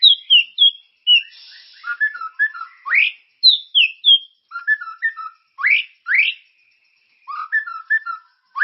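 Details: White-rumped shama song for caged birds to sing along to: clear descending whistles, sharp upward sweeps, and clusters of short warbled notes, repeated in lively phrases with brief pauses.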